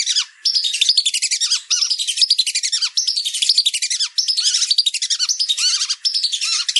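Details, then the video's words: Whistling ducks in a dense, continuous chorus of overlapping high chirps and whistles, with frequent downward-swooping notes and only brief pauses throughout. "Suara Masteran Belibis"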